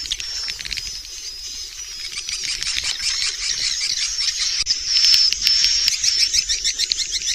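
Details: Swiftlet roosting sound known as Inap Ababil: a steady, buzzy high trill laced with fast clicking pulses, about two per second, a thin whistled tone running through the later part.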